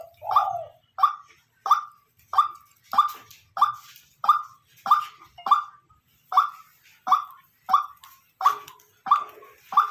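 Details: Repetitive loud calls of a white-breasted waterhen kept as a decoy bird, fifteen sharp nasal notes delivered at an even pace, about one and a half per second, with no other sounds.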